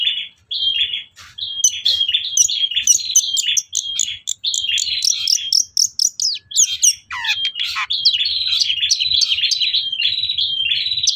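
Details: Long-tailed shrike lure song meant to rouse caged birds into singing: continuous varied chattering with steady whistled tones, rapid sharp clicks, buzzy rasps and brief pauses, loud throughout.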